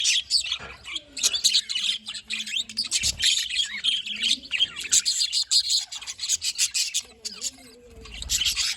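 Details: Group of pet budgies, described as happy, recorded on 18 October 2023, in dense, continuous high chirping and chattering with scratchy warbles, overlapping throughout, over a low steady hum.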